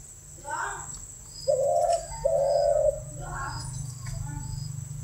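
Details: Spotted dove kept for breeding and training delivers two strong, drawn-out low coos in quick succession, framed by fainter murmuring sounds before and after, with a steady high faint hiss in the background.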